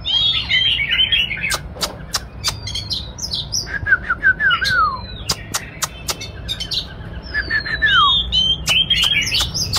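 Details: Oriental magpie-robin singing and dancing: a scratchy twittering opening, sharp clicks, a run of descending slurred whistles, then a long falling whistle and more chatter.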